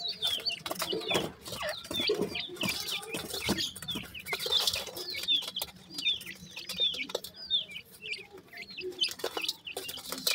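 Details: Partridge babies in Pakistan peeping: a crowd of high, short, upward-curving cheeps repeated irregularly over a noisy background of rustling and low clucks.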